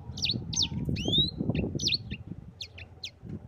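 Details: Yellow-fronted canary song used to tutor other birds: a few spaced high chirps and one long rising whistle, thinning out toward the end, over noticeable low rustling noise.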